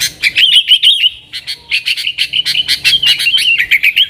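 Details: Sooty-headed bulbul in nggaruda style, played to call wild bulbuls, opens with a rolling whistled warble, then a fast run of sharp chipping notes mixed with further fluty phrases.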